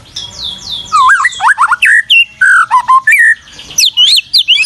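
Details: White-rumped shama singing for a masteran tutoring track: a faint high series of descending notes opens, then clear fluting whistles, wavering slurs and sharp high upswept notes follow in quick succession.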